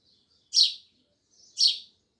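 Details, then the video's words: Loud sparrow chirping, two bright, harsh cheeps about one second apart with quiet between them. "Sparrows Loud Chirping Sounds"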